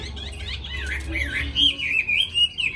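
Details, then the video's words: Caged, tame hwamei with a forest-type voice, singing a fluid, looping warble that swoops down and up, then settles into higher, steadier whistled notes with loud rhythmic pulses toward the end. "họa mi thuần giọng rừng hay cực mau mỏ hót suốt móc ra là hót"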